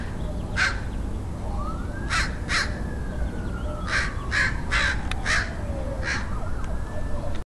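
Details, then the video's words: Crow calling in San Diego, California, USA, on 27 February 2009: about eight harsh, hoarse caws, some single and some in quick pairs, over a steady low traffic rumble with a siren wailing up and down in the background. "Crow crowing"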